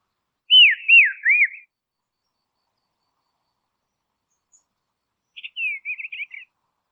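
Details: Dusky robin in Tasmania, Australia, giving a short run of three clear descending whistled notes, then after a long silence a quieter burst of rapid chattering notes; no other sounds.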